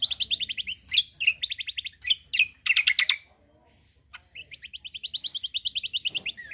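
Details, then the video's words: Loud song of a Javan grey-throated white-eye, meant to coax other birds to sing: quick rattling trills of high notes broken by sharp chirps, a short pause, then another long, even trill. "KECIAL KOMBO CUCAK KOMBO GACOR FULL TEMBAKAN BESETAN || UNTUK PANCINGAN BUNYI BURUNG BAHAN"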